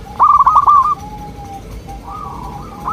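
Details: Zebra dove song, used to prompt local doves to reply: one quick trilled phrase of staccato coo notes, then long, faint, level whistled tones.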